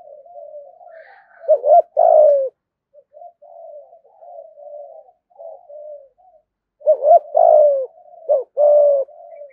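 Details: Spotted dove kept as a lure bird, two loud cooing phrases, each a brisk double hoot then a sustained falling note, separated by a stretch of soft, low, wavering coos.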